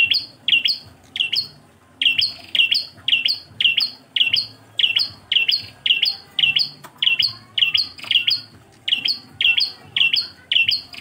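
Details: Bar-winged prinia in 'engkel' single-phrase song, a tutor recording: a long, unbroken run of bright doubled chirps, about two per second, strongly rhythmic and high-pitched.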